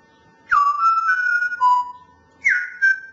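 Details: Grey parrot mimicking the song "Tulpen uit Amsterdam": clear whistled notes, a long held tone stepping down to a lower one, a pause, then a higher whistled phrase, with no other sounds.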